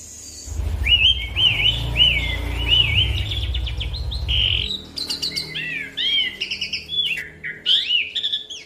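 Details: Long rolling song of an Asian pied starling used to coax other birds to sing: looping whistled phrases, then bursts of sharp chips and swooping notes, with a low rumble beneath the first half.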